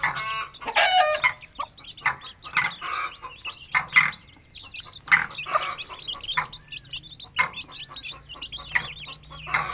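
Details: Aseel hen with her chicks feeding, playing and running in an open village yard: a busy mix of high, thin chick peeps and short clucks, bursting irregularly every second or so over a low steady hum.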